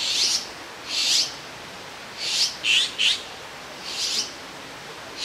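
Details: Grown Azure-winged magpie fledglings, out of the nest and perched side by side on a branch in Jirisan National Park, give harsh, raspy, high begging calls in short bursts as they wait for a parent to bring food.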